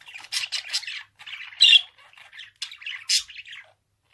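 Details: Budgerigar chattering in quick rasping phrases, clicks and squeaky notes, with a loud sharp squawk near the middle and another bright one later, ending in silence.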